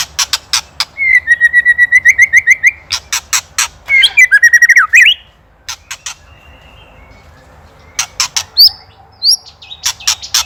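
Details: White-rumped shama singing for songbird training: sharp percussive clicks alternate with a fast rattling run of repeated notes and a scratchy burst, then a quiet stretch, further clicks and a few high whistles.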